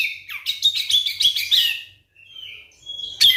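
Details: Provoking song of a white-rumped shama meant to spur silent birds to sing: a dense run of sharp chattering notes, then a thin sustained whistle and a final loud burst.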